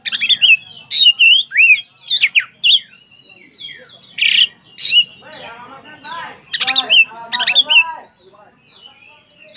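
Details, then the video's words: White-rumped shama kept for songbird contests, singing a varied burst of loud whistled phrases, sharp upsweeps and downslurs mixed with harsher buzzy rattles, in repeated bursts with brief pauses. "Suara Kicauan Terbaik Kacer Tretes Ngeplong Gacor Ngobra"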